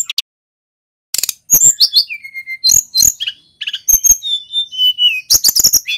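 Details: Rolling song of a male mountain white-eye from Pacitan starts after a short pause. It runs as dense bursts of high twittering chirps mixed with level and falling whistles, delivered in a quick, irregular stream.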